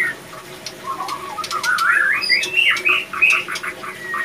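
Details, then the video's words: Male white-rumped shama in breeding condition, captive-bred, delivering a rising run of warbled whistles that climbs and ends in a thin sliding note, with hum and clicks behind. "Ciri - Ciri Burung Murai Batu Jantan Birahi"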